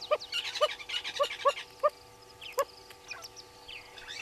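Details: At a waterhole in Djuma Game Reserve, Sabi Sand Wildtuin, South Africa, a southern red-billed hornbill below the camera gives a loose run of hollow, clucking notes at uneven spacing, while other small birds chirp and twitter higher up.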